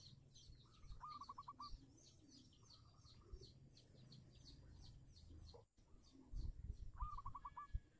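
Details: Zebra dove of the local type, a lure for non-singing doves, heard at a distance: quiet rapid trilled coo phrases at the start and end, amid busy high chirping of other birds and steady background noise.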